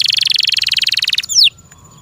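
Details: Canary kept at home producing a very fast, even trill of repeated notes, closing with a loud sweeping downslurred whistle.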